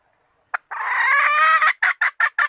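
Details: Calling female red junglefowl used to attract males: a single short note, then a drawn-out rasping squawk, followed by four clipped, evenly spaced clucks.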